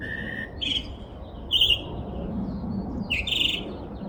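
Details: In a backyard, a bird with a repertoire of more than 20 sounds gives a level whistle followed by three bright, buzzy chirps spaced roughly a second apart, with soft background noise.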